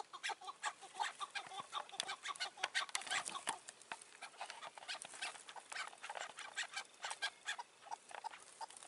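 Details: Chukar partridges calling in May 2024 around a rooftop decoy set for wild, mature partridges that keep their distance: dense, uneven bursts of hard chucking notes, roughly three each second, louder in the middle stretch.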